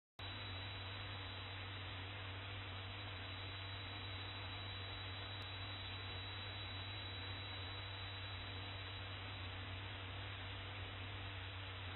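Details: Steady electrical hum and broadband hiss, with no animal sound.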